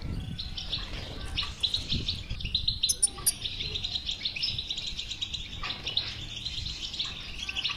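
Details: Bitbita song of the European goldfinch, played to coax a silent goldfinch into song: a steady stream of rapid, liquid twitters and buzzy trills, with some low thumps early on.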